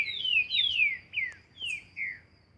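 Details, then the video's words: Green-winged saltator in nature, training song of a few long, clear whistles that fall in pitch, spaced by brief gaps, with a faint high chirp from another bird. "Trinca ferro Barão treinamento na natureza"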